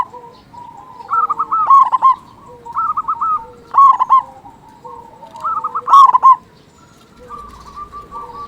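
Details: Local zebra dove, a vigorous big-voiced singer used as a lure to make lazy zebra doves sing. Rolling, wavering coo phrases every couple of seconds, each ending in sharp loud accented notes, over soft background cooing.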